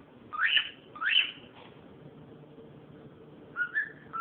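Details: Cockatiel calling: two loud upward-sweeping whistled calls half a second apart, a pause, then two shorter wavering whistles, with a low background hum.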